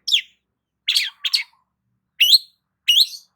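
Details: Long-tailed shrike in morning sunshine uttering scattered harsh, squeaky calls, a double burst early on and two rising notes near the end.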